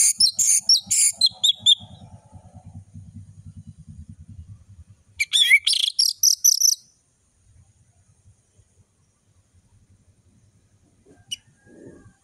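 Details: Vigorous 'ngeplong' singing from an orange-headed thrush, a tutor recording for juveniles: two dense clusters of high, shrill whistles and twittering notes separated by a quiet stretch with soft low rumbling, then near silence.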